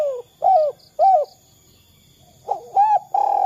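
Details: Spotted dove used as a lure to prompt other doves to call: two short arched coos, a pause, then a rising-falling coo and a sustained even note, with faint higher chirps above.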